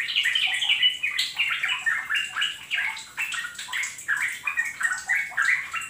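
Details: Yellow-vented bulbul singing as a lure for kept birds, a steady stream of short, gurgling whistled phrases that rise and dip, each phrase following closely on the last, over faint hiss.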